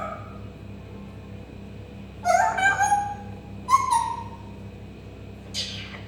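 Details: Parrot kept indoors mimicking cat sounds, with a short harmonic wavering cry, then a brief falling squeal, and a faint rasp near the end, separated by quiet room hum.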